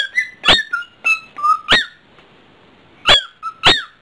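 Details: Domestic cockatiel showing off at home, giving a lively run of clear whistled phrases: short rising and falling notes mixed with sharp chirps, several in quick succession, a pause, then two more bright chirps.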